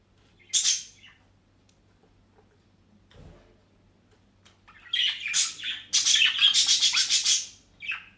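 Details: Pet budgerigars in Den Haag, Netherlands, given dry leaves and grass; a single loud chirp, a quiet pause with a faint knock, then a rapid run of bright repeated chirps and squawks.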